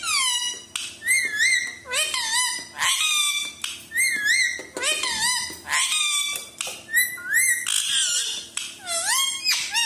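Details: Pet grey parrot (Psittacus erithacus), named Mitthu, talking in Hindi and asking for food: squeaky, human-like phrases with rising and falling whistled tones, several short bursts in quick succession, indoors.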